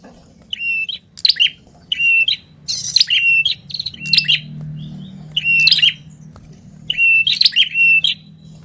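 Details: Noisy 'tenes ribut' call of a wild ashy tailorbird: short, high, buzzy-chirpy phrases with a flat whistled tail, repeated roughly every second over a faint low hum.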